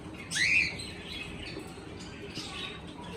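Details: Cockatiel giving a single loud rising whistled chirp early on, then only faint chirps over a steady low background hum.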